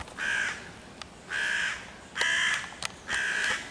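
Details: Hooded crow harassing five young raccoons waiting on a tree near their nest hole, 11 June 2023, calling to summon other crows; four hoarse caws spaced about a second apart, a few sharp clicks.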